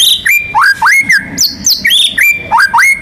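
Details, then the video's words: White-rumped shama, a national champion songbird, in full complete song meant to spur other birds to call: continuous rich phrases of rising and falling whistles, sliding swoops and high clipped notes, delivered fast and without pause. "MURAI BATU GACOR MANCING BURUNG LAIN BUNYI‼️ MATERI ISIAN NGEROL NEMBAK IRAMA LAGU LENGKAP ISTIMEWA"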